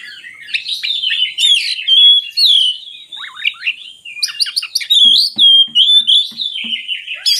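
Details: Varied song of an oriental magpie-robin, used to stir lazy magpie-robins: chattering whistles and trills flowing almost without a break, with soft low knocks repeating in the latter half.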